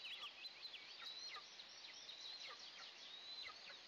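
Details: Two Eastern imperial eagle eaglets in their nest at the first breakfast of the day, June 29, 2024, captured by a nest camera. High, sharp chirps with up-and-down whistled squeaks, coming in uneven bursts.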